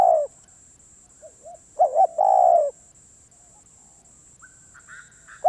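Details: Spotted dove, a very persistent wild-caught bird: a loud coo at the start, soft short notes, then a double-pulsed coo and a long falling hoarse coo; faint higher whistles from another bird follow.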